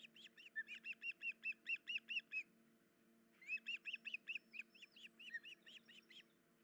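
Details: Osprey with chicks at the nest, early morning 10 July 2019, female injured and unable to tear fish: two bursts of quick, piercing whistled yelps, about a dozen each, separated by a second of quiet over a low hum.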